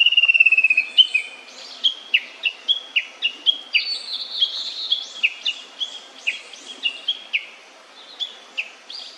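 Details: Young Blue-and-white Flycatcher at meal time: a fast opening trill, then a long sequence of short, sharp whistled notes repeated roughly twice a second, some slurred downward, with steady pitch throughout.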